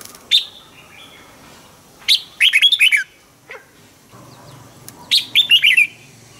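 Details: Red-whiskered bulbul used as a decoy, singing at morning to make other bulbuls sing: short bright warbled phrases of rapid slurred notes, repeated about every three seconds, with a single sharp chip between them.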